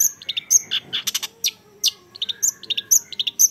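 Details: Young long-tailed shrike singing: a busy jumble of sharp high chips, short whistled notes and buzzy bursts, delivered in quick irregular succession with brief gaps.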